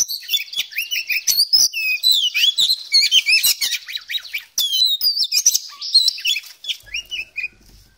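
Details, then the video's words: A very vocal Oriental magpie-robin pours out a rich, fast song packed with varied whistles, trills and sharp chirps for about six seconds before trailing off into a faint low rumble. "KACER POCI GACOR, NGOBRA FULL ISIAN"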